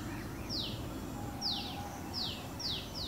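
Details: White-breasted waterhen chicks walking behind their mother among flowers in a Delhi orchard: sharp, high, downward-sliding cheeps spaced under a second apart, with a faint low hum underneath and a voice following.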